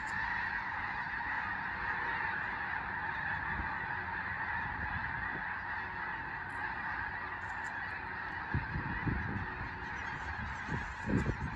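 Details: Skagit Valley, western Washington: a large Snow Goose flock on Fir Island takes off when a raptor such as a bald eagle passes; steady overlapping honking throughout, with louder low thumps of wind or wings near the end.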